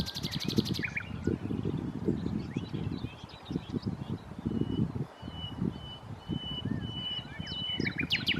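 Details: Nightingale at Challow Hill, Corfe, 4 May 2015. A dry, rapid buzzing rattle opens, followed by scattered thin chips and a long, level, pure whistle, all against strong low rumble.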